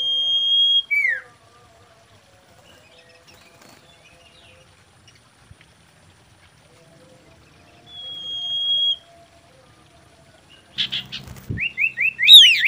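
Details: Common iora, called sirtu or cipoh, in mating song as a lure: two long level whistles, the first ending in a falling slur, separated by quiet, then knocks and quick rising chirps near the end.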